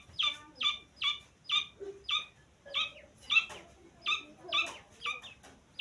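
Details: Young grey francolin (teetar) chick giving loud, high-pitched piping peeps, each a short bright note repeated roughly every half second in a steady series over a quiet background.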